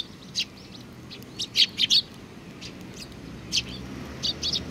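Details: Sparrows at a shrine, 4 July 2019: scattered brief high chirps, a paired burst in the middle and a few more near the end, over a soft steady background.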